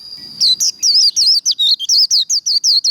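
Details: Caged white-eye performing 'líu đấu' contest song during singing training: a fast unbroken string of about fourteen bright, high, wavering whistled notes, each a quick swoop, following a soft low rustle at the start.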